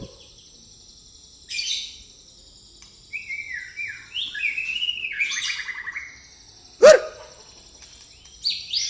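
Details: White-rumped shama pastol song with church-bell-like phrasing: bursts of high buzzy notes, then descending stepped whistled phrases and a sharp loud chip, with quiet gaps between phrases.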